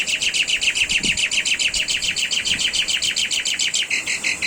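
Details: Asian pied starling tembakan song used as training master for cage birds: a long unbroken run of rapid, rhythmic scratchy chatter notes, about four per second, ending in a slightly different note.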